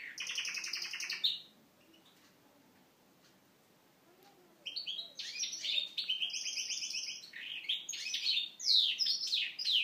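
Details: Canary trained on goldfinch song, singing in the goldfinch style from Moknine: fast buzzy trilled phrases and rapid twittering runs, separated by a quiet gap of several seconds before a denser, varied burst.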